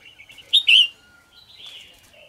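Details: Red-whiskered bulbul singing in the morning, kept as a trained cage bird: two loud, bright whistled notes sliding downward near the middle, framed by softer warbling phrases and a thin steady tone.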